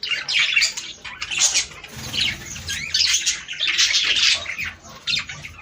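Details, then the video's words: Several budgerigars warbling as a breeding stimulus, with scratchy chattering phrases, squeaks and rapid twitters that rise and fall in intensity, with a faint low hum beneath. "صوت طيور البادجي ــ تحفيز للتزاوج."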